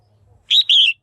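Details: Short burst: a single bright two-part chirp, the second note longer and falling, from a female red-whiskered bulbul calling to stimulate males or to pair.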